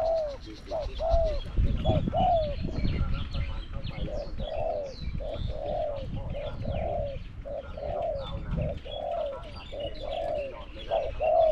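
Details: Spotted dove, a bird used in decoy trapping, gives soft, mellow coos in a steady series, close to one a second, over low rumbling background noise.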